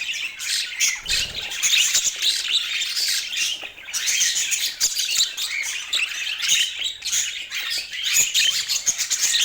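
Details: Many overlapping budgerigar voices produce an unbroken jumble of shrill chirps, squawks and warbled trills, pulsing in loudness but never falling silent.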